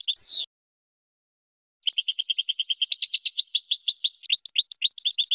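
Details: Training recording of European goldfinch song for teaching birds: one slurred call, a pause, then a long, fast series of repeated metallic twitters with changing pitch and tinkling flourishes.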